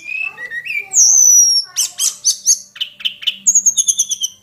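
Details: Hill prinia lure used in training: rising whistled notes and a long high piercing whistle, then a run of harsh chattered notes and a fast, ringing trill of high repeated notes.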